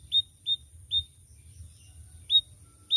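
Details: Canary, a loud, varied, melodious songbird often used as a tutor for other birds, giving short high chirps spaced roughly every half second, with a low rumble underneath.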